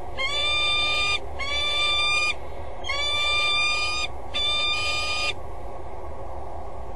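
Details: A peregrine falcon on a water tower gutter edge at 07:32 on 8 September 2012 becomes vocal, giving four harsh, drawn-out wailing calls with short pauses, then flies off; steady low wind rumble.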